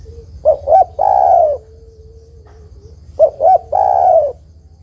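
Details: Calling female spotted dove summoning a male. Two quick hooting notes lead into a drawn-out, rough coo. The phrase repeats twice, with a faint steady tone between phrases.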